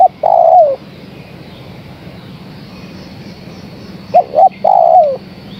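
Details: A female spotted dove calls for the male. One drawn-out, downward-sliding coo is followed by about three seconds of quiet hum, then two brief coos and another long, falling note.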